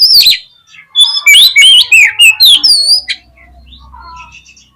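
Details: Lure song of an oriental magpie-robin for provoking fighting display: a brief harsh note, then a rapid string of loud, clear slurred whistles rising and falling, fading into soft distant notes and a low hum.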